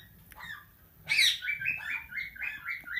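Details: Tamed plum-headed parakeet, described as a talking parrot, gives one loud harsh burst followed by a quick series of short squeaky chirps, evenly spaced, with faint room noise beneath.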